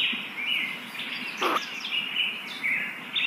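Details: Nest of very young kingfisher chicks at feeding time: a near-continuous high chittering trill with short bright squeaks, about two per second, plus one sharp knock midway.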